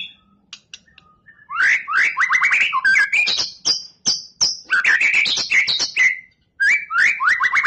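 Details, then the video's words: White-rumped shama preparing for a song contest, delivering long bursts of rapid rich whistles and chattering notes with short pauses between phrases. "MURAI BATU untuk persiapan kontes"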